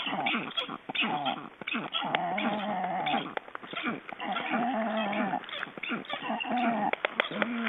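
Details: Black storks being ringed in Estonia, 29 June 2012: bleating, goat-like calls in uneven bursts, some held notes lasting half a second or more, overlapping throughout with handling noise and nearby voices.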